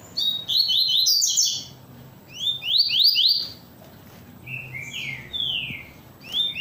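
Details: Caged rusty-collared seedeater singing hard in the Tui Tui song style, a well-kept bird: fast bursts of high slurred, rising whistled notes in rapid runs, several phrases separated by short pauses, with faint low background hum.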